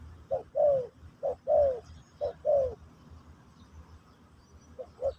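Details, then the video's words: Spotted dove singing in the pesom or kacuk style for a new bird being taught: three mellow two-note coos about a second apart, fading to two faint short notes at the end. "Burung Terkukur Pesom/Kacuk...Sesi Mengajar Burung Baru"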